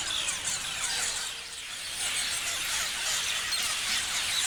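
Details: Many parrots chirping together in a dense, continuous chorus of high, overlapping squeaky chirps and short twittering notes, with no pauses and a steady loudness throughout.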